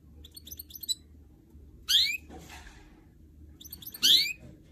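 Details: Caged goldfinch mule, a canary and goldfinch hybrid kept for song training, giving short bright twittering bursts: a quick high trill, then a rising sweep repeated about two seconds later, with soft rustling between phrases.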